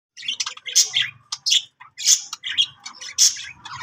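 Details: Budgerigar singing: bright, scratchy chirps and short warbled notes in quick uneven bursts, with brief pauses between phrases and a faint low hum underneath.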